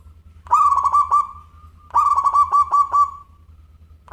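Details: Local zebra dove singing eagerly in a crystal-clear voice: two long, rolling phrases of quick, stuttered coos that fade into a sustained tone, then a third phrase begins. A low hum runs throughout.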